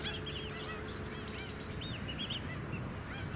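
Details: Several White-headed stilts on mudflats at Scarborough, Queensland, in July, calling in quick, sharp, arched yaps that overlap irregularly, with a faint steady hum behind.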